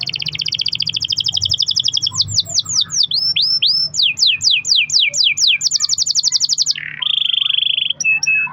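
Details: Singing canary played to spur other canaries into song, with long rolling trills: a fast buzzy trill, then series of steep sweeping notes, another rapid trill, and a lower steady roll ending in sharp clicks.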